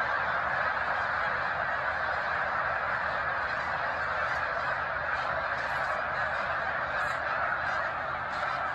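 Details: A large flock of snow geese resting on the shore of Cayuga Lake in Seneca Falls, New York, in March 2021: a dense, unbroken chorus of overlapping nasal honks and yelps, steady throughout.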